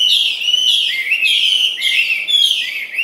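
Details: A captive Chinese hwamei sings even while eating: loud, rich, continuous phrases of bright whistles and slurred notes, shifting in pitch about every second. No other sounds stand out.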